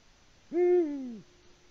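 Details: A lone deep, booming hoot from a male Eurasian eagle-owl calling unanswered for a female, recorded by a live camera in Latvia at dusk in early March; the note holds level, then drops away.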